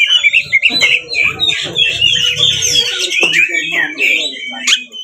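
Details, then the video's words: Magpie-robin (kacer) provocation song: rapid, busy medley of whistled and chattering notes with a faint low rumble underneath during the first half, ending with sharp chips. "SUARA BURUNG kacer gacor NGEPLONG TARUNG ini sangat AMPUH untuk PANCINGAN kacer agar buka ekor"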